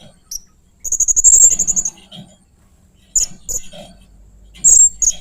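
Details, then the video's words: Blue-crowned hanging parrot making strange, fierce sounds: a rapid trill of high squeaky notes lasting about a second, then separate sharp squeaks and a final loud shrill note. "Burung Serindit Main Singa keluar kan suara aneh dan ganas"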